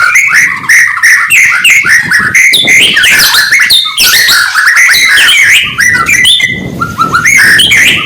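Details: Rich morning song of a white-rumped shama, used to fire up rival birds: a dense, varied stream of rapid whistles, slurs and sweeping notes with barely a pause.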